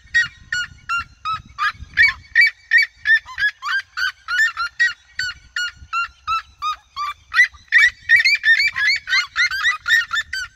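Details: A flock of red-legged seriemas in open fields in Brazil, calling all around the recordist, yelps in loud, shrill, barking notes, about three per second, overlapping in a steady chorus for ten seconds.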